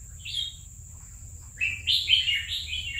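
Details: Single clear whistle, a pause, then a lively run of chirpy, fluty notes rising and dipping: the song of a red-whiskered bulbul kept caged for two years.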